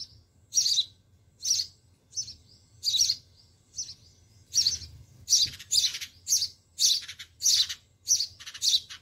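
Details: Nestling sparrows in a garden nest being fed by their mother give loud, high, scratchy chirps in bursts roughly every half second to second, growing faster toward the end.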